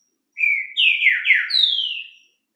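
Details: A captive green-winged saltator singing in the morning gives one rich whistled phrase of about two seconds, slurred notes dipping and rising, in otherwise quiet surroundings.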